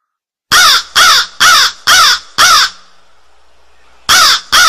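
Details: A run of five harsh, hoarse caws from a crow at a steady pace of about two per second, then a pause and two more caws starting the next series.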